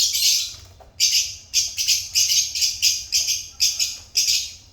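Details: Pet African lovebirds giving harsh, high chirps in short bursts, roughly two or three per second, with brief gaps between rapid shrill volleys.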